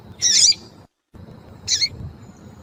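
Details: Female Double-collared Seedeater in heat, calling to stir up a male: two short, harsh, high chirps with a raspy, squeaky tone, about 1.3 seconds apart, over a low steady background hum.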